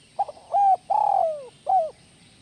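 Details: Spotted dove giving one 'kuk 1 melambung' style song phrase. Short introductory notes give way to a sustained coo, a long vibrating coo gliding down, and a rounded final coo.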